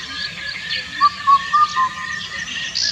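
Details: One four-note whistled phrase of an Indian cuckoo, Cuculus micropterus, in song, the last note falling, set against faint background chirping from other birds.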